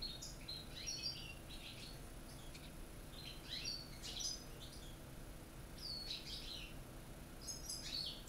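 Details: True Corsican-style song from caged European goldfinches, a Corsican bird with one from North Africa and a young Spanish one: clusters of bright, liquid twitters and short trills spaced by brief pauses, over a low constant hum.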